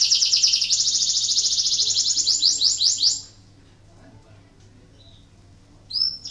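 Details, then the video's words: Canary in breeding condition, singing to stimulate other canaries to sing: a fast, high, buzzy trill of rapidly repeated notes for about three seconds, then near silence and a brief high whistle at the end. "PANCINGAN KENARI BIRAHI , AMPUH MERANGSANG KENARI IKUT BUNYI || MASTERAN KENARI"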